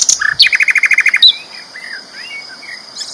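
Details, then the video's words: A flycatcher, loud and clear, recorded as training material for champion cage birds: a fast rattling trill of about a dozen repeated notes, followed by soft warbled slurs, under a steady high tone. "BURUNG SIKATAN LONDO GACOR ISTIMEWA KERAS LANTANG"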